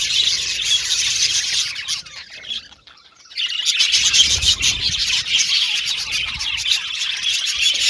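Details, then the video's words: Colony of caged Australian budgies chirping and singing; dense high twittering, then a brief near-silence of about a second, after which the busy chorus of squeaky chirps resumes. "Budgies Singing And Chirping Sound"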